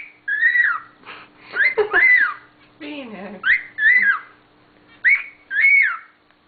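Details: A pet pearl cockatiel sings clear whistled phrases that rise and fall, repeating every second or so, while trying to step up, with brief human speech.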